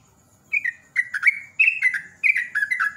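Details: Rapid lure song of a sooty-headed bulbul: after brief silence, four short bubbly phrases of slurred downward notes follow one another roughly every half second, with a faint steady high tone behind.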